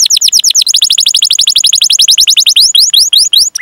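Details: Canary in full song, a long 'cuit cuit' rolling song used as a training lure for young, untrained or silent canaries; fast descending whistled notes repeated in a dense trill, then slower rising upswept notes at the end.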